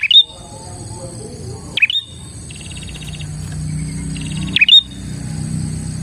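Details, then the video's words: Bar-winged prinia song for luring prinias: three sharp high chirped phrases spaced about two and a half seconds apart, each closing in a thin whistle, alternating with rapid buzzy trills in between. "suara burung prenjak gacor ini 💯% ampuh untuk pikat prenjak dan pancingan prenjak bahan"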